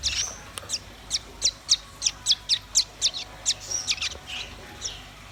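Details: White-rumped shama and red-billed nuthatch singing. A rhythmic series of loud, sharp, high chips about four per second, broken by short flat whistles, then fading.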